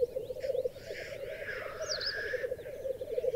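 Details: ['Black grouse lek on a raised bog in the Berezinsky Biosphere Reserve; steady low bubbling coo beneath a drawn-out harsh hissing sneeze.']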